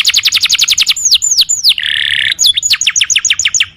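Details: Canary song (kenari gacor): a rapid trill, three drawn-out drooping whistles, a harsh buzzy rattle, then renewed fast trilling.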